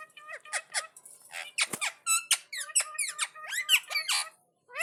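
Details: Indian ringneck parakeet answering another parrot with fast chattering squeaks and short upswept whistles, densely packed notes following one another almost without break, in a small room.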